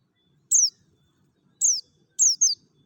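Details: Mountain white-eye from Merapi in the wild-style ngalas song, a lure meant to prompt other white-eyes to sing: high, thin, downslurred whistled notes, a single one, then another single note and a quick pair, with near-silent pauses between.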